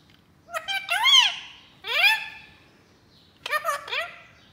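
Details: Pet Indian ringneck parakeet indoors, talking to a new baby ringneck in the house: three loud, arching, richly layered vocal bursts, the middle one rising then falling, with quiet gaps between them.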